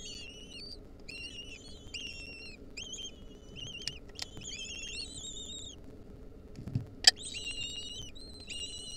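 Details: High squealing notes from wild lesser kestrel nestlings as their mother delivers a mouse, given in quick succession, many short wavering calls, some overlapping, with occasional sharp clicks and faint hum.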